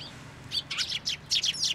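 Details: Fledgling Eurasian tree sparrows crowding into a plum tree at a Tenmangu shrine on 26 May 2024 to be fed; a string of high, scratchy chirps in quick succession, growing denser and louder toward the end.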